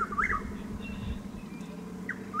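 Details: Chuck-will's-widow calling at dawn, about 6:15–6:20 am on 12 April 2023, six miles southeast of Lake Placid, Highlands County, Florida; a whistled phrase rising then falling, starting again about two seconds later, over a steady low hum.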